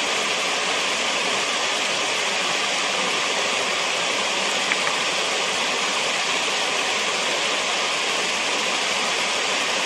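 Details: Constant loud hiss of rushing water, like a stream or waterfall, covers the whole recording with no animal calls heard.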